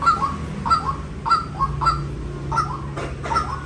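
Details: A few spaced, ringing notes from a white-breasted waterhen, irregularly timed, with a steady low drone beneath.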